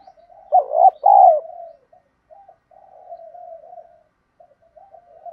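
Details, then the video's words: Spotted dove coo in the thổ đồng voice, played to encourage fresh birds to coo: faint notes, then a loud throaty double coo trailing into gentle, wavering humming phrases that fade and return. "tiếng Cu gáy mồi giọng ĐỒNG"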